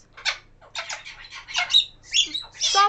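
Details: A male African grey parrot, 1 year 7 months old and learning words, gives a rapid string of harsh, broadband squawks and chattering syllables, some with brief whistled tones, in a small indoor room while a person talks to him.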